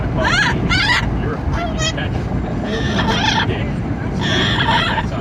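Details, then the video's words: Pet Amazon parrot in a moving car giving repeated loud harsh squawks and raspy honking calls in quick bursts, with steady heavy wind and engine rumble underneath. "Parrot riding in car, making noise in the wind"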